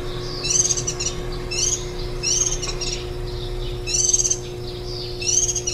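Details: Warbling white-eyes at a nest with nestlings on the day before fledging, July 2018; loud, buzzy, high chirps in clustered bursts with short pauses, and a steady low hum beneath.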